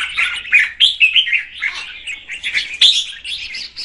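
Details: Female red-whiskered bulbul song aimed at stimulating the male: quick chirps and thin whistled accents strung into a fluttering, uneven warble.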